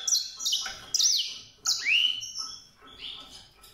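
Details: A canary-like white-rumped seedeater sings clear, high, sweeping whistles and slurred notes in short bursts, some rising, some falling, each fading before the next.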